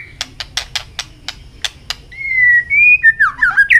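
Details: White-rumped shama in contest song, flicking its tail: a row of sharp clicks followed by a long steady whistle and twisting fluty notes.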